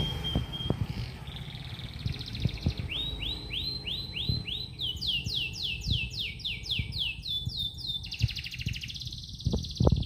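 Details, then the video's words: Canary singing in the morning: long rolling song of repeated rising notes in fast series, shifting into trills and buzzy runs, over low background rumble and clicks. "kicauan burung kenari di pagi hari"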